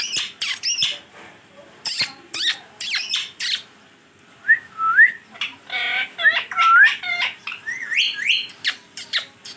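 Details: Pet green ringneck parrot, described as a talking bird, giving a rapid mix of harsh squawks and short whistled notes that rise sharply then level off, in irregular bursts indoors.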